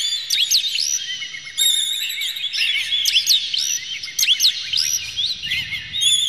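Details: Agitated Oriental magpie-robin song, used to stir other magpie-robins into singing, with the bird spreading its tail: fast, jumbled high whistles, sweeping slurs and clipped metallic notes tumbling almost without pause.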